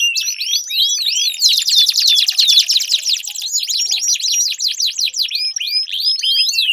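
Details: Long, energetic canary song meant to coax a silent canary into song: rapid rattling trills alternating with sharp rising and falling chirps, delivered nonstop at high pitch.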